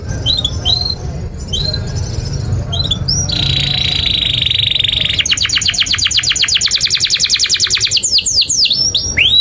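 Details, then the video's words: Canary song used as a long master recording for training young canaries to sing: whistled upward notes, then a buzzy sustained trill and a fast rattling series of rapid sweeps, ending in clear whistled slurs, with low hum beneath. "Kenari GACOR PANJANG INI Cocok untuk Masteran KENARI PAUD dan Kenari Macet"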